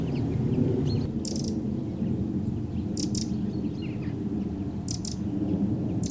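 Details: Wren at a farm feeding area near Godmersham, Kent, in mid-February, popping out and giving its alert call: short dry bursts of high ticking about every two seconds over a steady low rumble, with faint chirps of other small birds.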